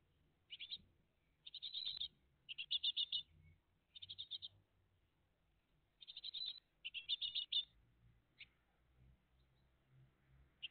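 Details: Calls from a great tit family at its nest, morning of 20 June 2023: repeated bursts of rapid, high, rasping chirps, several clusters in ten seconds, with a soft low hum beneath.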